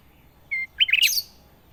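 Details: Brief song of a sooty-headed bulbul: one steady whistled note followed by a fast, bubbly tumble of warbled chirps.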